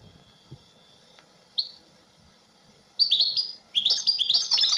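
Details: European goldfinch song that opens with a faint, thin, steady whistle and a short slurred note. It then bursts into a loud, jumbled, liquid twittering in the second half, over a soft background hiss.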